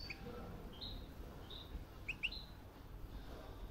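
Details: European goldfinch kept in a cage, sex unknown, that does not sing and only gives calls while hopping about the cage all day; soft short chirps, a few flat notes then two quick rising cheeps, over low room hum.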